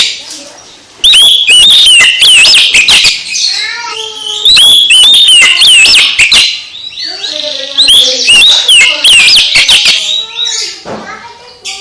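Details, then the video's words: Oriental magpie-robin song stimulating another magpie-robin: three loud, varied phrases of sliding whistles and rapid chirps. Softer, lower notes are heard between the phrases. "Kacer MBAGONG langsung GIRAS lagi setelah dengar KICAU Kacer ini"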